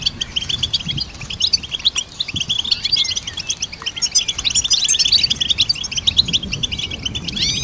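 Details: Goldfinch song for songbird training: busy, high-pitched twittering made of clipped chirps, buzzy trills and an occasional rising whistle, flowing without break.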